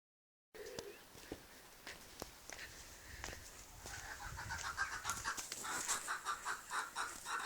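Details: A silver Appenzeller chicken gives a run of mid-pitched clucking notes, roughly two a second, growing louder toward the end after a few scattered clicks and knocks.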